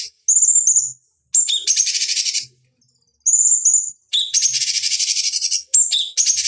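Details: Cucak cungkok bulbul, a training lure for fighting birds, alternating clear high whistles with dense buzzy rattles, about twenty phrases a minute with short silent gaps between.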